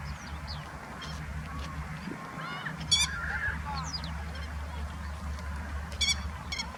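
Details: Grey-headed lapwing guarding its chicks in late April in Kyoto, Japan; harsh, clipped calls given singly and then as a quick pair near the end, with a low mechanical hum and faint chirps from other birds.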